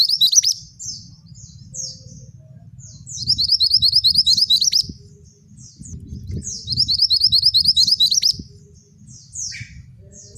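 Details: Energetic male scarlet minivet song in the ngerol tembak style: bursts of rapid high trilled notes repeated every few seconds, separated by thin down-slurred chirps, with a soft low rumble underneath.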